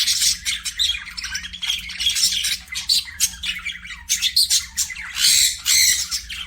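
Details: Aviary budgies in loud chattering chorus, harsh squawks and rapid scratchy chirps overlapping from several birds without pause, with louder bursts toward the end and a faint low hum underneath.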